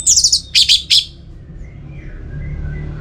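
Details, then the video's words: Orange-headed thrush, a kept songbird from Singaraja in northern Bali, singing in a lure recording: three clusters of high buzzy, trilled notes in the first second, then quiet with faint distant whistles. "Pemancing Burung ANIS MERAH Agar Selalu Gacor"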